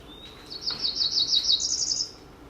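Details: Cerulean warbler, a West Virginia forest canopy bird, sings a quick run of high, buzzy notes speeding up into a rising buzzy trill, about two seconds, played over a speaker with faint room hiss.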